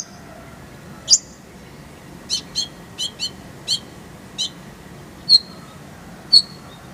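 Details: Kolibri ninja (sunbird) tutor song for caged songbirds. Sparse, very high ticking notes come roughly every half second, with occasional sharper whistled chirps against a quiet background.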